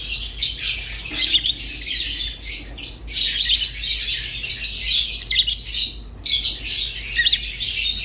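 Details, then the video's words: Rosy-faced and Fischer's lovebirds chatter in long, harsh, squeaky runs, with clear pauses near three and six seconds, over a soft constant hum. "تغريد ولا أروع | روز و فيشر غندور بصوت ساحر وممتع"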